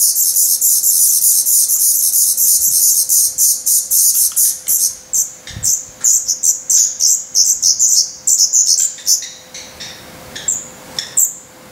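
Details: Hungry, fast-growing Black Redstart nestlings, already feathered and losing down, begging in the nest in Portugal on 17 May 2020: dense, high hissing chirps in rapid pulses, thinning into scattered separate bursts near the end.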